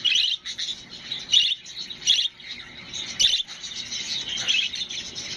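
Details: Budgerigars singing and playing warble in a continuous stream of chirps, clicks and scratchy chatter.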